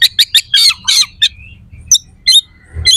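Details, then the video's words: Oriental magpie-robin singing harshly to goad rival males into fighting, a rough, sharp contest-style song. Scratchy buzzy bursts repeat in quick succession, then sharp chipping notes with a brief thin whistle between them. "PANCINGAN KACER AUTO CEPAT RESPON/KACER JADI EMOSI SIAP TARUNG"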